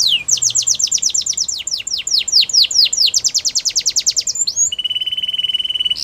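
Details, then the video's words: Russian canary in flute singing style, pouring out quick downward-sweeping whistles at over two per second before shifting to a steady, even low trill. "Russian Canary Flute Singing"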